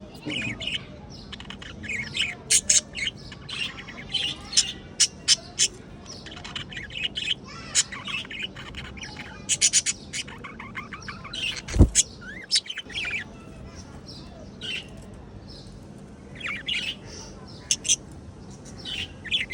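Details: A budgerigar colony chatters nonstop with overlapping squawks, chirps and warbling whistles.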